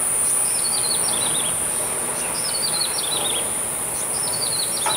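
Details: Grey-headed tailorbird singing from a window view over Badouzi fishing harbour, recorded 29 April: three bursts of high, thin descending twittered phrases about every two seconds, over a steady high hiss.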